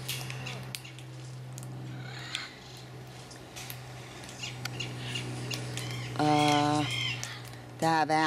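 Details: Pair of caged blue-throated macaws, just out of weeks of quarantine, in a cage made safer for them: two loud, harsh, harmonic squawks near the end, after a long quiet stretch with a steady low hum underneath.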